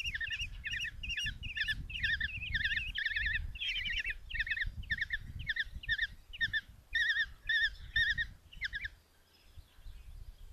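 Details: Common Kestrel nestlings, five of them, in a Hungarian nest box at Tiszalök on a June 2024 morning, beg while the mother delivers a mouse: rapid series of short quavering shrieks, about two per second, fading out near the end over low hum.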